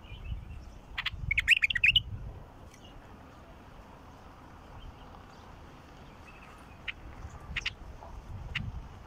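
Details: Wild bulbul song: an early rush of tumbling, fluty notes, then a long quiet stretch broken only by a few short, sharp notes toward the end, over low background rumble.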